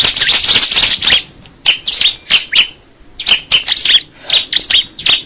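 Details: Bar-winged prinia delivering energetic chattering phrases of high chirps and ringing whistles, in three clusters divided by short quiet gaps.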